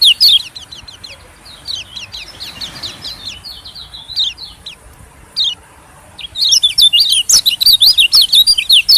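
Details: White-eye lure sound aimed at small birds: a few sparse, quick high chirps at first, then a busy burst of rapid, sharp twittering over the last seconds.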